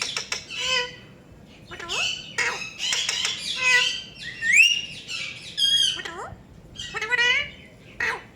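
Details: Talking Rose-ringed parakeet squawking and chirping loudly: harsh buzzy bursts, rising whistled notes and wavering squeaks run together for several seconds in a quiet room.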